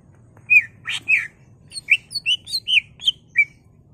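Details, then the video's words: Excited caged greater green leafbird singing to provoke other birds: a quick run of sharp whistled notes, each bending downward, about eight notes in under three seconds over a faint low hum. "CUCAK IJO GACOR EMOSI BONGKAR ISIAN NGENTROK/ PANCINGAN CUCAK IJO BIAR EMOSI"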